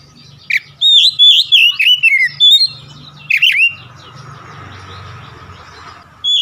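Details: Oriental magpie-robin lure song meant to get quiet birds singing: a quick run of bright, sweet whistled notes, some rising and falling, then a brief buzzy phrase, followed by a low hum and near silence.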